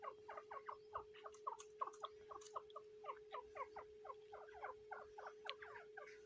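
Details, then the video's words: Female grey francolin sitting on her eggs on the tenth day of incubation in the breeding season, uttering rapid, repeated downward-slurred chirps of varying loudness against a steady electrical hum. "Female teetar eggs protecting Teetar breeding season"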